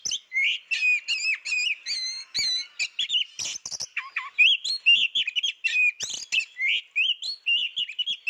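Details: Oriental magpie-robin, unseen but singing persistently: a continuous stream of varied whistles, chattering notes and quick repeated phrases, with rising and falling slurs and a few low dipping notes.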